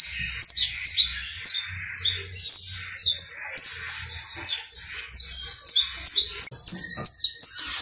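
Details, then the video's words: Saffron finch, a criollo bird kept for singing, delivering a long high song of rapid chirps and descending sweeps, loud phrases bursting out about every half second with dense twittering between. "UN CANTO INCREIBLE DE CANARIO BASTO CRIOLLO"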